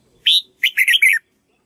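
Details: Red-whiskered bulbul singing in a training session used to teach its song to a white-cheeked bird; a clear rising whistled note, then a short burst of quick warbled, buzzy phrases, in a quiet setting.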